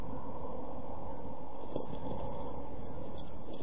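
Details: European pied flycatcher nestlings, 7 days old, in a nest box filmed 23 June 2012, starting with scattered thin high chirps that build into a faster run of cheeping near the end, over low hum and faint knocks.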